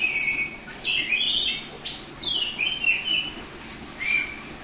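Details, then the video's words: Loud open 'ngeplong' singing by a semi-tame Bali-type oriental magpie-robin: sweet whistled notes, a steep upward sweep, descending slurred phrases, and a final clear whistle after a short gap. "Suara Burung Kacer Bali ngeplong,,, Semi jinak tapi Gacor Mental Master"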